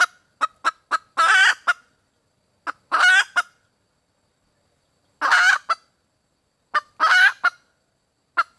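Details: Female red junglefowl, calling for a mate, mixes short clucks with four long nasal squawks, the calls coming in loose clusters separated by brief silences.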